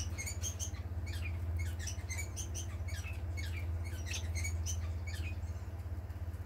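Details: Pet society finches, a family group, on 18 April 2020 give thin, high chirps in quick irregular bursts, about three a second, over a steady low mechanical hum.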